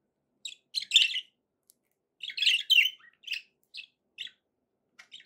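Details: Happy pet budgerigars chatter in a string of scratchy chirps and brief warbled notes, louder clusters near the start and middle, scattered single tweets in between.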